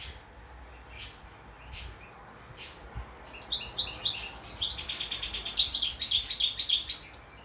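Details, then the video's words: Goldfinch hybrid giving a few separate high, sharp chirps about a second apart, then breaking into fast, continuous, tinkling twittered song with rapid repeated trilled notes. "Mixto jilguero"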